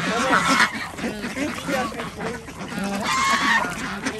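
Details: Farm ducks at an organic village duck farm in Andhra Pradesh, India, at feeding time alongside chickens and geese; a dense chorus of overlapping nasal quacks and honks, some rising, runs without pause.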